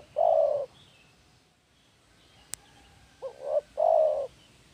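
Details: Spotted dove used as a lure bird, giving low cooing notes: a single drawn-out coo, a pause, then a quick paired coo followed by a long steady coo, with faint background noise.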